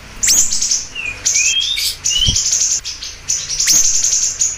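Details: Siri-siri bird in full voice, giving long, high, buzzy trills and a few lower whistled glides in between. Several sharp chirps slice down through the phrases.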